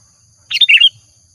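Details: Single short phrase from an actively singing sooty-headed bulbul used as a lure: four quick, liquid notes rising and dipping, lasting under half a second.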